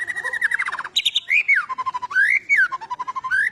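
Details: Agitated fighting white-rumped shama, used to provoke other birds, pouring out loud continuous song: buzzy trills, swooping rising and falling fluted whistles and pulsing notes without pause.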